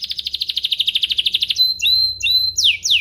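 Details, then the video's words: Domestic canary song used to stir other canaries into singing: a fast even roll of pulsed notes, then clear whistled held tones and sweeping downslurred notes. "Pancingan kenari biar gacor"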